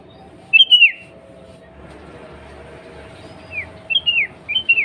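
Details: Calling female sooty-headed bulbul, used to provoke males into song: one clear whistled phrase sliding downward, then a quiet pause and a cluster of softer, quick falling whistles toward the end, with low background hum.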